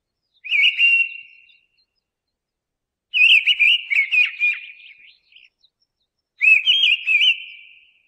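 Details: Song of a mistle thrush: three clear fluted phrases, the middle one longer and more varied with quick trilled notes, each ending in a drawn-out whistle, with quiet gaps between.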